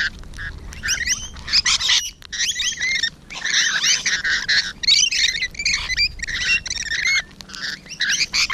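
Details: Several rainbow lorikeets up close in the morning, 12 June 2017, keep up a continuous stream of shrill, rasping screeches and rapid squeaky chatter with only brief pauses.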